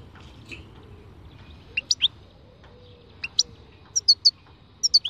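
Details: European goldfinch singing in the khalwi style: scattered high, sharp tinkling notes, single and in short clusters of two or three, with low background rumble.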